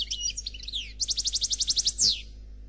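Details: European goldfinch known as Noir delivering khalwi song: jumbled high twittering notes give way to an even run of about a dozen rapid clear trill notes, ending in a sharp descending buzzy sweep.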